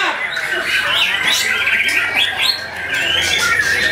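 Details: Young kept white-rumped shama singing persistently: dense, rapid run of bright whistles, chirps and buzzy slurred notes crowded into the upper range, with overlapping chatter and other noise in the background.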